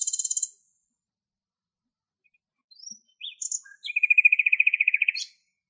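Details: Common nightingales (Luscinia megarhynchos) singing in Greece: a fast high rattle, a pause, then varied chirps and whistles ending in a long pulsing trill, all crisp and high-pitched.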